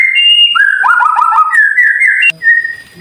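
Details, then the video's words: White-rumped shama song used as tutor audio for silent birds: clear whistled phrases, a steady note near the start, then a descending run of quick slurred notes and sustained level whistles, ending abruptly with a fainter whistle. "Suara Murai Batu Masteran Cepat Gacor"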